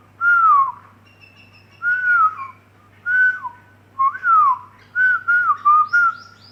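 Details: Common myna perched outside a window, whistling back in reply to a person's whistling: clear, slurred, mostly falling whistles in about seven short phrases over six seconds, faint low hum.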